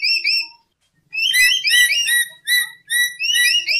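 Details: Lory lure recording: two arched whistles, a pause, then a dense, busy run of overlapping high whistled notes, some rising and some dropping, with a faint low hum behind.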